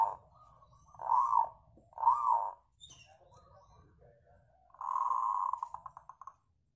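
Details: Local zebra dove singing, a recording meant to lure other birds into song: three arched coos, a quiet gap, then a longer sustained note that breaks into a rapid stuttering trill and fades.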